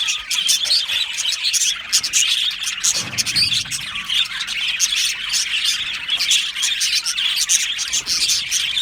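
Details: Aviary of budgerigars, described as happy, keeps up a continuous high chattering of chirps and squeaky notes, with a short low rustle partway through.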